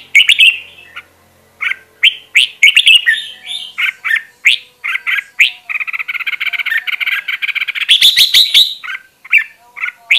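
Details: Red-whiskered bulbul singing for voice training, with quick chirped notes building into a long continuous buzzy trill, then clipped whistled phrases again.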